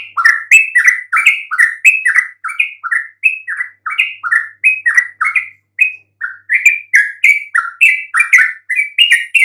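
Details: Yellow-vented bulbul song used as a lure to make silent bulbuls answer: a fast, lively run of short chirpy slurred notes, rising and falling, about three per second with brief gaps, in a clean, quiet recording.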